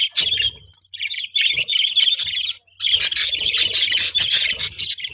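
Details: Budgerigars chirping: continuous buzzy, scratchy warble broken by two short gaps, with faint low background rumble.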